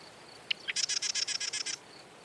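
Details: A single marsh wren song: two quick sharp notes lead into a rapid, mechanical trill of about ten buzzy elements, with faint high pips before and after.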